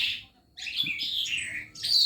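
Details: Newly arrived caged Calandra lark singing at night, having sung day and night since arriving that morning: a run of high, dense, scratchy warbled phrases with sliding notes, loud and continuous in a small room, faint low background noise.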